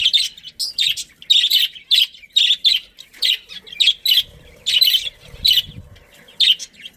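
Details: Budgerigar breeding pair with family in a colony: fast run of harsh, buzzy chirps, roughly two per second, rasping and scratchy, with a brief low rumble in the background partway through.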